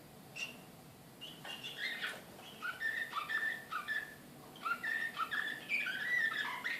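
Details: Srpski Slavujar canary in Belgrade, 2014, singing varied phrases of falling whistles and quick trills, separated by short pauses and ending in a brighter run.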